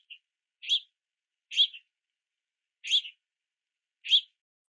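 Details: Slow, spaced begging chirps from young house finches at a rainy backyard platform feeder, one rasping note roughly every second, preceded by a faint short peep.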